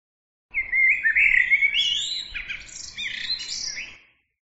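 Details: Small bird singing a rapid, varied chirping and warbling phrase of high, twisting notes and short trills that climbs in pitch, about three and a half seconds long against a quiet background.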